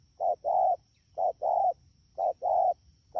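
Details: Spotted dove, wild-caught, recorded in Đak Tô, Vietnam, 3 October 2019, giving rapid coos: a brief low note followed by a drawn-out hollow one, three pairs at a steady one-per-second rhythm over a faint constant tone.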